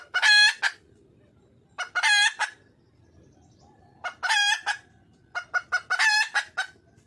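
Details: Red junglefowl hen calling for a mate: four bouts of a long, hoarse, nasal squawk trailed by one or two clipped notes, separated by short pauses of quiet.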